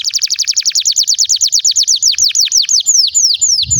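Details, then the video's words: Canary song for prompting other canaries to sing: a fast, evenly repeated trill of bright chirps that gradually slows into spaced downward-sweeping whistles near the end. "Pancingan Kenari gacor panjang untuk masteran kenari paud & terapi kenari macet bunyi agar gacor"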